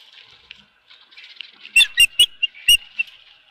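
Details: Osprey at the Dunrovin Ranch nest with a fish, 24 April 2018, afternoon: a soft twittering background, then four or five loud, clipped whistled chirps.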